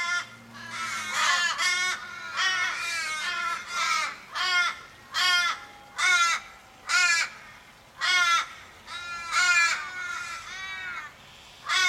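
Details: Australian ravens in a Sydney street in July, a flock of fifteen or more circling a dying, possibly car-struck raven and calling in distress: harsh, drawn-out nasal caws with wavering, descending ends, given in overlapping bursts about every second.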